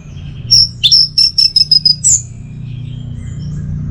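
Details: Orange-headed thrush, used as a masteran and trigger bird for teler song: a quick series of about six clipped, high, evenly pitched notes followed by a rising whistle, with faint low hum behind.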